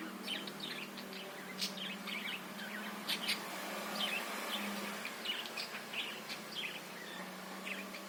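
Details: Budgerigar chatter used as a lure to stir other birds into singing: quick, overlapping high chirps and warbled notes, continuous, with a faint low hum beneath.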